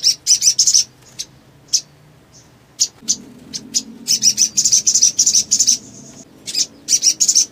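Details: Actively calling sogon bird, used to provoke rival sogon into singing quickly: clusters of shrill, rapid chip notes with brief pauses, a longer dense twittering burst in the middle, and a faint low hum underneath.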